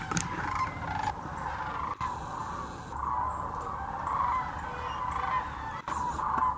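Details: Sandhill cranes massed by the thousands at Hiwassee Wildlife Refuge, Birchwood, Tennessee, a yearly migration stop: steady overlapping trumpeting and rolling calls throughout, with a few abrupt edit cuts. Recorded on GoPro Hero 9 and Canon PowerShot.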